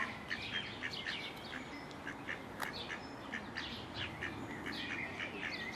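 Several Mallards chatter in short, nasal quacks and murmurs, irregular and overlapping at about two a second, with faint thin whistles from other birds behind.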